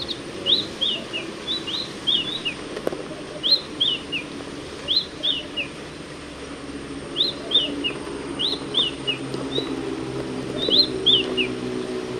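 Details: Shining sunbird (Cinnyris habessinicus), a dry woodland and scrubland bird of arid Africa and Arabia, in the wild. High, sweet chirps come in rapid descending runs of three to four notes, repeated about every one to two seconds.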